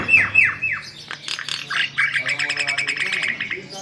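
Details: White-vented myna in vigorous song, used as a lure for other birds: sharp falling whistles, then scratchy chatter that turns into a fast, even series of clicking notes.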